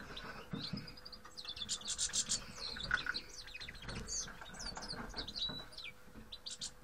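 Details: Grey-headed goldfinches (Carduelis caniceps), more than one bird, mixing sharp high chips, short buzzy notes and liquid twitters in irregular bursts, with a faint low hum in the background.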